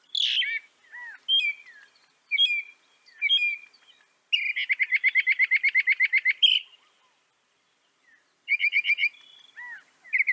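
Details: A Northern Mockingbird (Mimus polyglottos) sings varied phrases, each repeated a few times: sharp chirps, then a long rapid series of bright notes around two to four kilohertz.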